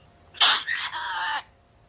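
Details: An African grey parrot imitating a human cough: a sharp, breathy burst followed by a raspy, drawn-out throaty rasp lasting about a second, indoors.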